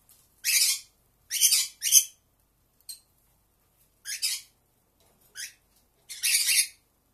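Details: Pearly conure contact calls from one caged individual: raspy, broadband screeches, a quick cluster of three then scattered shorter squawks, in a quiet room.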